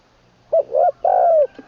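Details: Trained decoy spotted dove from northeastern Thailand giving one 'khan long kuk' phrase with full middle voice: two quick hollow coos followed by a long, slightly descending coo and a soft final note, in a quiet setting.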